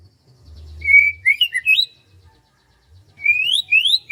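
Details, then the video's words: Morning in rice fields: a bird gives a clear rising whistle followed by a few twisting chirps, a short pause, then two more rising whistled notes. "SUASANA PAGI DI SAWAH SAMBIL DENGERIN KICAUAN BURUNG"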